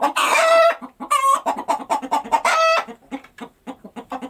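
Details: Chicken that has just laid an egg: loud, harsh, drawn-out squawks alternate with quick runs of short, low clucks in an excited, uneven rhythm.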